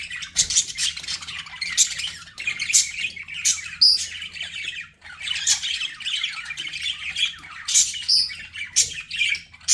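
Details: Pet budgies chattering for calming lonely birds: rapid scratchy chirps and squawks in clustered bursts, a short pause near the middle, then steady warbled chatter resumes.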